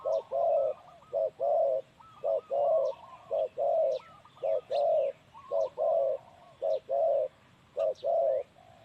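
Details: Male spotted dove kept as a ground decoy bird, calling loudly: low, mellow cooing notes in quick bursts and pairs, repeated steadily throughout, with faint high chirps of other birds in the background.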